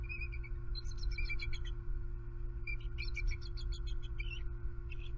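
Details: Southwest Florida bald eagles on high alert at their nest with two eaglets after an owl attack. Rapid high chittering bursts come in two clusters, heard over a constant low hum.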